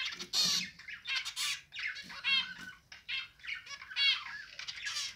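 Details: Zebra finch singing among a pet family of two adults and three recently fledged chicks feeding with their parents' help; rapid buzzy, nasal stacked notes in quick phrases, mixed with soft fluttering wing sounds.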